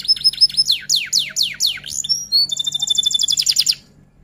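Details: Persistently singing F1 canary in a long-duration tutor song with roll and 'tembak' phrases. Repeated downward-sweeping whistles give way to a high, fast, even trill. A faint low hum sits underneath.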